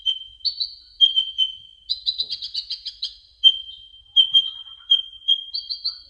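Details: Tutor song of a brown-throated sunbird: a steady high whistle repeatedly interrupted by clusters of sharp, rapid chirps, about five bursts in six seconds.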